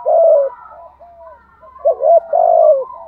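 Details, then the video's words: Decoy spotted dove giving a thúc gù cooing phrase: a loud, low, hoarse coo, softer broken notes, then a double coo and a long, drawn-out final coo; quiet, otherwise clean background. "Thúc gù bài lối | Cu gáy mồi bài bản"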